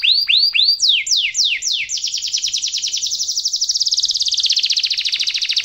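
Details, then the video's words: Canary song played as a master for young canaries: a few rising whistles and steep downward sweeps, then a long fast trill that speeds up into a buzzy roll. "kenari gacor ngerol panjang cengkok mewah suara kesukaan dan gampang di tiru sama kenari muda"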